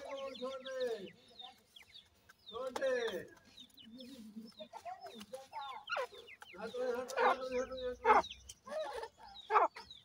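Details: Grey francolin with its chicks: layered, ringing clucks with rich harmonics come in several bouts, and fine, high downslurred chick peeps run throughout.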